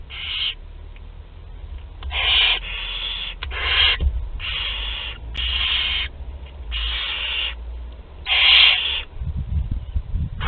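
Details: Barn owl nestlings two to twelve days old feeding together, Théding, France, 29 April 2021: a run of overlapping hoarse hissing screeches, several chicks calling in quick succession, with rubbing and scraping noises near the end.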